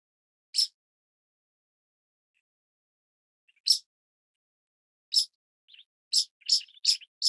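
A pied kingfisher gives sharp, high, clipped notes, first spaced seconds apart, then a quicker run of four. Nothing else is heard.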